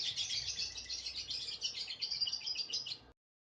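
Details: A lovebird's liyer konslet song: dense, rapid high chirping that runs steadily for about three seconds, then stops abruptly into silence.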